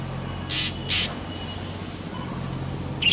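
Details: Black drongo, Dicrurus macrocercus, known in Bengali as ফিঙে, gives two harsh, rasping bursts about half a second apart, then a third starts at the end. Steady low background hum throughout.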